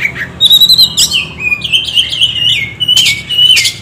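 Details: Oriental magpie-robin singing to lure and stimulate other birds: quick repeated chips, then a long chain of sweet, gliding whistles, ending in harsh rasping notes.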